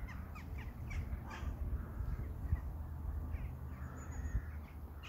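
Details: Crows heard outdoors, a quick run of harsh caws at the start followed by fainter calls, against a constant low rumbling background.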